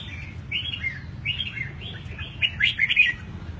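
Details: Caged eight-month-old red-whiskered bulbul, freshly moulted, singing: soft warbled phrases that end in a brighter, louder burst of bubbly notes.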